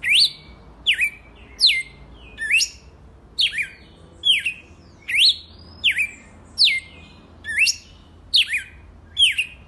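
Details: Red-cowled cardinal, a kept bird singing the wild-type 'selvagem raiz' song style: sharp, bright phrases that swoop down then up, each with a high buzzy overtone, repeated about once a second over a low steady background hum.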